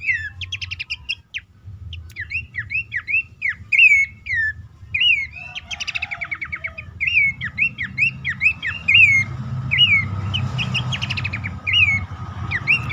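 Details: Lure call of Horsfield's babbler for coaxing reluctant caged birds to sing, suggested at dawn or night: steady series of sharp whistled up-down notes, about one per second, mixed with rapid stuttering trills.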